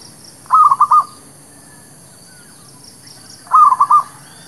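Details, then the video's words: Zebra dove singing, a lure for trapping birds and for new birds: two crisp phrases of four to five rapid cooing pulses, separated by about three seconds of near silence. "SUARA PANCINGAN MERBUK KAMPUNG / PERKUTUT LOKAL...UNTUK PIKAT DAN BURUNG BARU"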